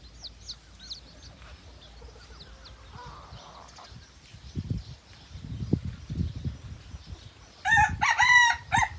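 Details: Hybrid junglefowl in Phon Thong, Roi Et, Thailand: thin high chirps of small birds and soft rustling thumps give way to a sudden loud, harsh, ringing crow burst lasting about a second at the end.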